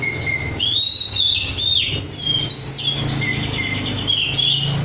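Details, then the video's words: Captive oriental magpie-robin, untrained and singing vigorously, gives sustained clear whistles, some level and some sliding up or down, joined into a flowing, varied phrase with light background hum. "kacer gacor"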